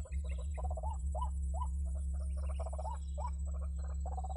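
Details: White-breasted waterhen calls used as a trapping lure: clustered rising notes and stuttering clucks tumbling together, about three a second, backed by a loud low drone.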